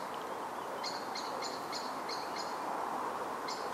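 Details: Blackbird alarm calling in the background of a Milton Keynes deciduous wood, UK, summer 2013: quick run of thin, sharp chink notes about three a second, a pause, then two more, against constant woodland hiss.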